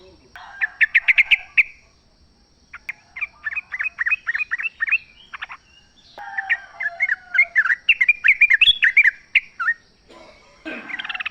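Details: Lively song of a wild sooty-headed bulbul amid natural sounds: dense series of quick, sliding chirps repeated in fast rhythm, broken by short silences, with a faint lower whistled note behind.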